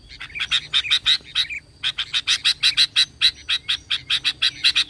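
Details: Sooty-headed bulbul, in a lure recording meant to make other bulbuls sing. A steady stream of rapid, rhythmic, buzzy chattering notes, about four per second, with a brief pause after the first burst.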